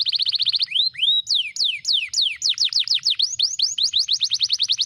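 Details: Canary in energetic, fast and dense song (Indonesian 'gacor speed rapat' style): a rapid high trill, then clear whistled notes sweeping downward several times a second, closing in a quick run of short rising-falling notes, with no other sounds.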